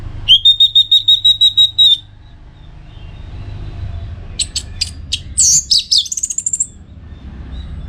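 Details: Orange-headed thrush, a master recording for contest training, delivers a steady series of about twelve even, rapid whistled notes, then after a pause sharp clicks and a rising, buzzy, twittering phrase.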